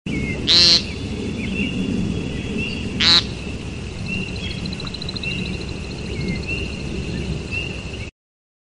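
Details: Two loud, buzzy, nasal calls from a woodcock in courtship, about two and a half seconds apart, over a steady chorus of high trilling frogs.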